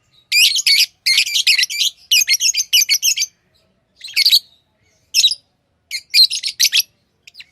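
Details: Chattering pet lovebirds: bursts of shrill, raspy chirps fired in quick groups of three to five, separated by short silences, then scattered single and paired chirps toward the end.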